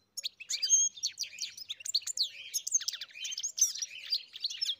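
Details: European goldfinch on a farm singing a busy cascade of sharp chirps, downslurred whistles and twittering notes, steady and fast throughout.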